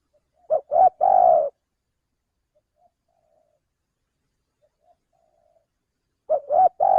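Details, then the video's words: Male spotted dove lure call for attracting birds: a three-part coo phrase with two quick notes and a long final note, then a long silence, and the phrase begins again about six seconds later. "suara pencingan burung tekukur"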